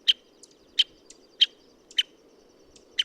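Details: Contact call of an American Three-toed Woodpecker, a Washington breeding species: five crisp, bright pik notes at irregular intervals of about half a second to a second, with faint weaker notes between them over a low background hum.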